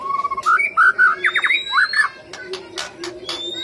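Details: White-rumped shama delivering a fast run of fluted, warbling whistles that climb and fall, followed by scattered clicks and faint chirps against a noisy background.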